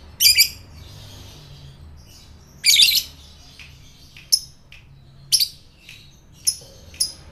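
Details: Lovebird calls used as a lure to set off fighter lovebirds: harsh high squawks and sharp chips in separate bursts, several seconds apart, with quiet gaps between them.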